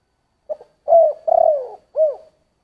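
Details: Spotted dove cooing in the giọng thổ song style: one short soft note, then a long level coo, a long throbbing coo that slides downward, and a final arched coo. Low and mellow, on a silent background.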